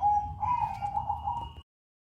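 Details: Single sustained cooing phrase of a zebra dove in crossing style, mellow and slightly undulating, lasting about one and a half seconds before ending abruptly, over low background hum.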